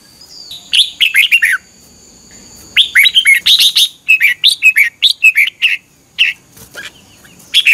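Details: Red-whiskered bulbul singing in the morning in a duel-style 'chè' voice, recorded as a lure to train and stimulate other birds: bursts of bright warbled, slurred notes, two phrases separated by a pause, over a faint steady high tone.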